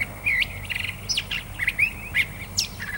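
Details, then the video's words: Song of a Curve-billed Thrasher: a brisk string of short warbled phrases, buzzy trilled notes and steep rising whistles, each burst following closely on the last. "Curve Billed Thrasher song"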